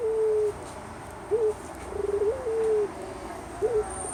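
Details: Barbary dove (Javanese puter) gives low, smooth coos: long steady notes broken by short bent notes and a quick rolling burst, over a faint high hiss.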